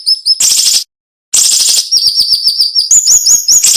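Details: High-pitched masteran song of a cinnamon-bellied flowerpecker, sharp and tightly packed: two dense rasping bursts separated by a silence, then a quick string of thin, slightly rising chips.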